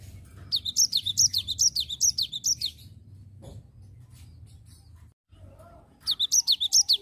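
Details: Cinereous tit singing in ngerol style: a long fast run of about ten high, piercing chirps at a steady pace, a quiet stretch with low hum, then the rapid chirping starts again.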